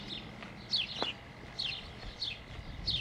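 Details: Sparrows calling with quick, bright, downward-sliding chirps, some doubled, coming about every half second to second over faint background noise.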